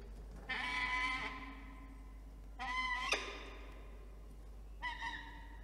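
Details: Peregrine falcon at a nest site at CSU, NSW, on a Monday morning in September during incubation of three eggs. It gives three drawn-out, harsh wailing calls, each under a second and a couple of seconds apart, over a steady low hum.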